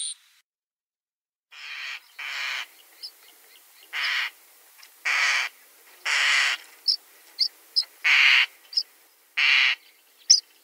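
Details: Common starling producing a series of harsh, hissing, rasping notes roughly once a second, interspersed with short high clicks.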